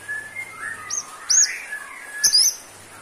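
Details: White-rumped shama (murai batu) in vigorous 'gacor' singing, played as therapy for shamas low in stamina: sliding whistles near mid pitch mixed with sharp, very high chipping notes in short bursts, with a faint low hum underneath.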